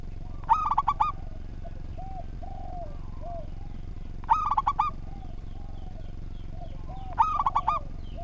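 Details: Local zebra dove singing steadily in an ordered song: three stuttering phrases of quick, bubbly coos, each opening with a sharp rising note, spaced roughly three seconds apart, while fainter, lower coos sound in the gaps.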